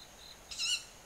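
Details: Owl flying tens of metres above a home garden in early summer, 20 July near 19:40, one of about five birds; a single short, shrill, rasping screech with stacked harmonics, recorded on a compact camera set on a gatepost.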